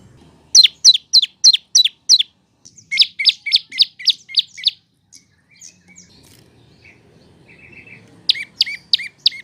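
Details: Olive-backed prinia song for training cage birds, made of rapid bright chirps in series of five to six, each bursting high then dropping, with short pauses and faint background noise between bursts.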